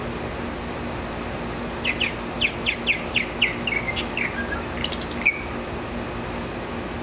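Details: A male purple martin sings by his nest in the morning, June 2009, giving a quick run of about ten bright, falling chirps, then a few sharper high notes, over a constant low hum.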